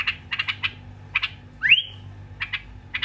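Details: Bulbul from Iraq giving a bright whistled note that slurs upward, framed by short clicky chirps in quick groups of two to four, with a steady low hum underneath.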